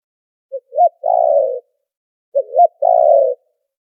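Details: Two identical spotted dove phrases about two seconds apart, a lure call for trapping with noise filtered: each a tiny note, a looping hoot and a sustained low coo.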